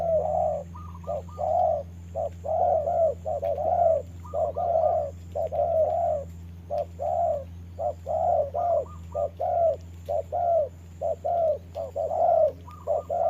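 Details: Decoy spotted dove in a trap, fighting a wild bird on a rainy day; a long, busy stream of overlapping coos from more than one bird, short notes and drawn-out ones mixed, over a loud steady low drone.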